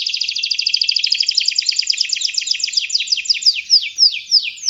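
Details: A canary singing energetically (gacor), offered for prompting other birds: a rapid, loud trill of quick pulses that gradually slows into widely spaced, sweeping downward notes at the close.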